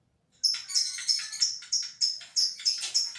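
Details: Contest lovebird from Gresik, East Java, trilling right after its cage cover is lifted: rapid, evenly spaced high chirps, roughly three each second, forming a continuous chattering run.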